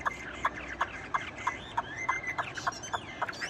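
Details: Tame caged Chinese hwamei singing steadily even while its cage is shaken: a series of short clipped notes about three per second, mixed with thin whistled sweeps and brief rising slurs.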